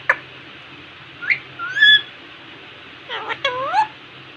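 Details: Pet Indian ringneck parakeet at a mirror giving a few sliding whistled notes, one clear rising whistle mid-clip, then a burst of quick upswept chirps, over faint hum.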